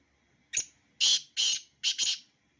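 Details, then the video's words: Black francolin phrase: a short sharp opener, two drawn-out harsh buzzy notes, and a closing double rasp, loud and clean against a silent background. "Black francolin _beautiful sound of two birds"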